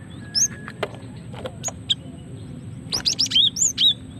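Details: Female cinereous tit, calls used for luring and prompting song: scattered sharp clicks and ticks at first, then a quick string of high wavering whistled chirps in the final second and a half.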